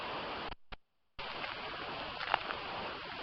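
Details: Steady hiss of broadband noise, cut by a brief silence, with a few faint ticks and rustles near the end.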